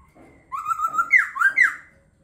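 A laughingthrush gives a clear, slightly rising whistle, then two quick downslurred whistled notes; a short, rich phrase in a quiet room.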